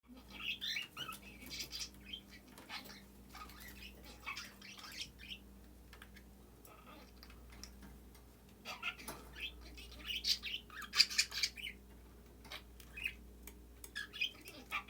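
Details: A pet budgerigar about seven months old speaks into a nestbox in April 2021, chattering in scratchy, warbling bursts that mimic speech, over a low steady hum.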